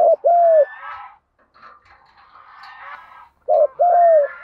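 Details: Field-voice spotted dove giving urging coos meant to stimulate birds in training: a hooked coo and a long falling coo open, a hazy murmur fills the middle, and another coo pair closes.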